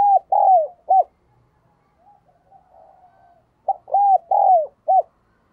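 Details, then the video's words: Spotted dove used as a decoy bird, calling and cooing to lure wild doves: loud, low, hoarse coos in short bursts, a fainter wavering coo between them, then another quick series of three or four coos. "Tiếng Chim Cu Mồi thúc Và Gáy Gọi Bổi"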